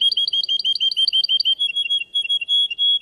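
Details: Singing-contest Russian canary producing a fast bubbling trill of paired notes that gives way to smoother, longer warbled whistles, all high-pitched and loud.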